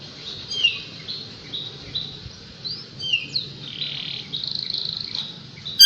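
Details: Kapas tembak singing, recorded for tutoring white-rumped shamas: clear high whistled phrases, some sliding up or down, given in short bursts with brief gaps, over a faint low background hum.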